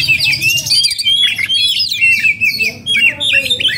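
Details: Oriental magpie-robin (kacer) in breeding condition and agitated, singing loudly at close range: rapid varied whistles, sharp chirps and sliding notes in quick succession, with brief pauses.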